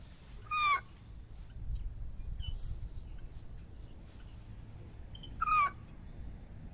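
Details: American white ibis calling twice, a short, loud, rasping note near the start and another about five seconds later, over constant low background noise and a few faint chirps.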